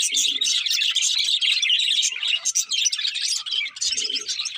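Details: Budgerigars chirping contentedly while feeding, a busy flow of rapid tweets and rolling warbles, rich and high, with soft low sounds near the start and end.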